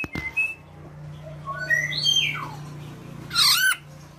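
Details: A tame female black-naped oriole mixes fluting whistled notes that step up and down with a harsh, buzzy squawk near the end, over a steady low hum.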